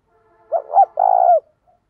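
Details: Spotted dove used as a lure bird to prompt other doves to coo quickly, with its voice style described as thổ sấm and thổ bầu. It gives one low, mellow coo phrase: two short rounded notes, then a longer drawn-out note that falls at the end.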